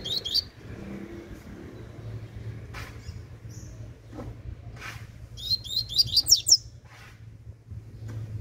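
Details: Young Double-collared Seedeater delivering tui tui song: a short high phrase at the start, then a louder burst of five or six rapid, sharp, bright notes, with scattered clicks and a low hum.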